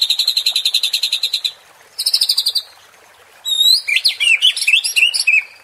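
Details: White-rumped shama provoking song: two bursts of rapid, evenly pulsed high trills, then a lively run of sharp, slurred whistles and chips.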